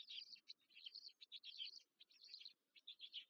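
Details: Black stork (Ciconia nigra) chicks begging while fed at the nest, Łódź, Poland, 14 May 2023: rapid, choppy, squeaky chattering in grouped bursts of about three to five notes, with short gaps.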